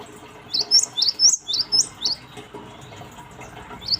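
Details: Cinereous tit lure song used to draw a response from other birds: sharp, high, slightly rising chirps in a quick burst of about eight, then a pause and a single further chirp, over a steady low background hiss.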